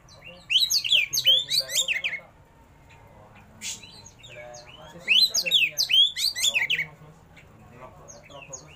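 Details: Kacer, an oriental magpie-robin, in full song with rich mimicked phrases: two long bursts of rapid, tightly packed whistles and chatters, each about two seconds, separated by quieter pauses with faint chips.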